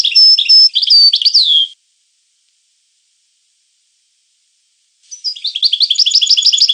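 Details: European goldfinch singing two phrases: whistled notes and twitters ending in a down-slurred whistle, then after a pause a rising run of repeated tinkling notes with a high sustained whistle.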